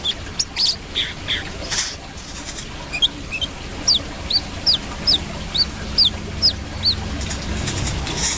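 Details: Brown-throated sunbird singing: a run of thin, high, downslurred chirps, each about half a second apart, over a steady noisy background with scattered faint higher notes.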